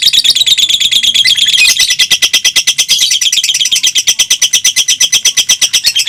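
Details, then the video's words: Pair of fighter lovebirds contesting with long songs over two minutes. A dense, buzzy, high chatter first, then a clearer run of quick clipped notes repeated evenly, around three each second. "PERSAINGAN KETAT🔴 2 LOVE BIRD FIGHTER MENTIL DURASI TEMBUS 2 MENIT"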